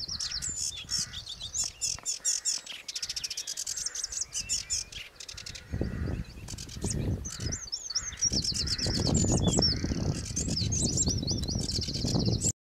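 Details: South of Rubane on the Ards peninsula, a sedge warbler sings a fast, restless jumble of harsh chattering and churring notes, breaking into sweeter whistled slurs near the end, over gusts of low wind rumble.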